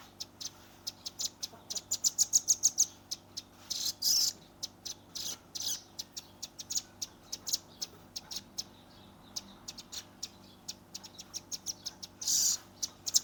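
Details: Velvet-fronted nuthatch youngster in lively 'nembak rapat' shooting song, phone-recorded: short bursts of rapid high ticking notes at the start, then irregular sharp chips spaced through the rest, with a few louder rasping notes.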